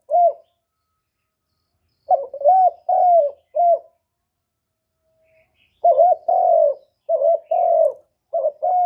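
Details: Spotted dove coo used as a lure to get other doves calling. A single coo is followed by a run of short broken notes and drawn-out hoots. After a quiet pause, denser repeated low mellow phrases follow.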